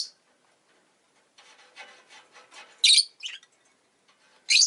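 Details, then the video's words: A pair of pet rosy-faced lovebirds huddled at the entrance: soft rhythmic scraping, then loud harsh chirps in a quick double and a final shrill call. "Lovebird Chirping Sounds"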